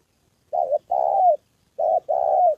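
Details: Spotted dove used as a trapping decoy in Gia Lai, Vietnam, on the 2 September holiday, as a wild bird and a female turn up. Two husky coo pairs, each a brief note and then a longer one that slides downward.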